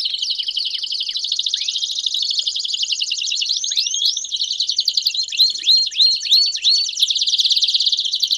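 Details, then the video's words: Belgian canaries in a chorus to stimulate singing: steady high buzzy trills, then a run of rising whistled swoops repeated in quick succession, ending in a fast rolling trill. "Vários Canários Cantando Junto Estimule seu Canário Belga a Cantar Muito!!!"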